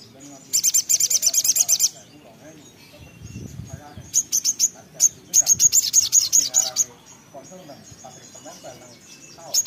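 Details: Little spiderhunter, locally sogok ontong or sogon, singing in full 'gacor ngotor ngleper' style: two bursts of rapid, very high, sharp repeated notes, about a dozen in each quick series, with softer chips between and faint low background noise.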